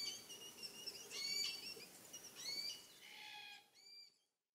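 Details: Glossy black cockatoos in fire-surviving East Gippsland forest, 2020, give soft, wavering, wheezy calls in a loose series of several notes over a few seconds, over a faint hiss of forest background.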